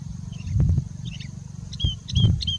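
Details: Singing bushlark in India, in a long song bout full of mimicry of birds such as Indian robin and pied bushchat, gives short, sharp whistled notes, some sliding downward, in quick bursts over hiss and heavy wind rumble and thumps.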